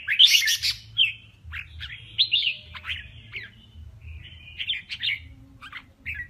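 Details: Competing male red-whiskered bulbul opens with a loud harsh chattering burst, then a run of clear whistled and slurred warbles, some rising, others dropping, above a constant low hum.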